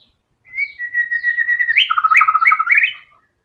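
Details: White-rumped shama singing vigorously: a sustained whistled note slowly dipping, then a quick jumble of upward-flicked phrases over a lower warble, sounding busy and loud, no background noise.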